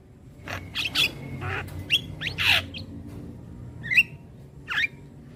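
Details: Master song of a Javan myna for young birds: scattered harsh squawks and sharp whistled notes, some bending upward, separated by pauses of about a second, over a steady low background rumble.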